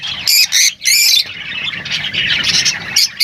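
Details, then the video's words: Lovebirds giving loud, harsh high squawks in short bursts, with softer twittering chatter filling the gaps between them. "Huni ng Lovebirds | Love birds Singing [ Call Sound ]"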